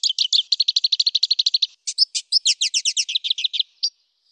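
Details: Black siskin giving a loud, clear, long rolling song, used as a training recording for other cage birds; fast trains of high buzzy notes repeated evenly, a brief gap, then looser slurred and downward-swept notes ending in a lone chirp.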